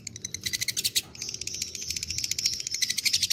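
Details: Lovebird of fighter type, kept as a singing bird, delivers a long ngekek trill: very fast, high, sharp buzzing chatter of dense repeated notes, with a short pause near one second before the rattling run resumes steadily.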